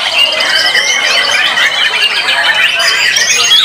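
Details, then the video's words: White-rumped shama (murai batu) in a bird singing competition session, performing with melodic rhythm, power and long working duration; dense overlapping high whistles, trills and chatters from several birds singing at once, steady and loud throughout. "Murai Batu BARRACUDA Tampil Mak Nyuss"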